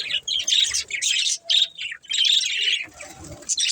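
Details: Budgerigars from a playing family group give clear bursts of high chirping and warbled squeaks in separate phrases with short pauses between them.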